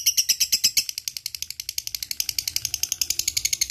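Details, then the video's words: Lovebird chattering to prompt other lovebirds into song: quick grating high pulses, a few louder notes at first, then a steady fast rattle. "LB ngetik ngekek GAcooor bagus untuk pancing lb malas bunyi"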